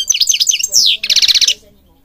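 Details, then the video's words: Singing European goldfinch from Morocco used to train birds: quick tinkling twitters, a descending sweep, then a rapid buzzy trill, all high-pitched. "Singing Goldfinch King goldfinch singing"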